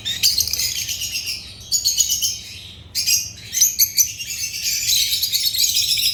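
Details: African lovebirds chirping in bright, high bursts of rapid twittering separated by short silences, several birds calling over one another.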